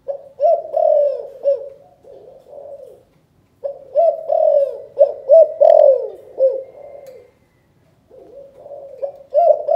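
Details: 'Chụp chụp ô' calling coo of a spotted dove from Can Tho, Vietnam. Several phrases of hollow, bouncing coo notes are divided by short gaps, each phrase building from soft to loud notes.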